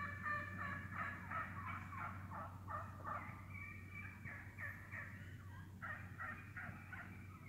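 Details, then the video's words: A flock of wild turkeys feeding through the woods gives sharp, rapid clucks, cutting and purring, about three per second, in loose bursts over a low steady hum. "Real Wild Turkey cutting, purring, clucking"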